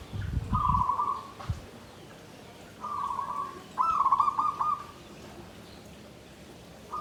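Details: Klabang kapipit, tumpang sari style song of a zebra dove in a bamboo cage: three rolling trilled coo phrases, each about a second long and separated by pauses of roughly two seconds, with brief low knocks early on.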